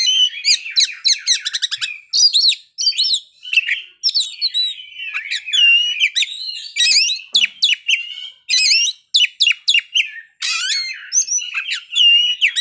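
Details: Oriental magpie-robin singing in full flow, showing off its learned repertoire: fast runs of sharp, high whistled notes and trills, broken by brief pauses, with rapid changes of phrase throughout.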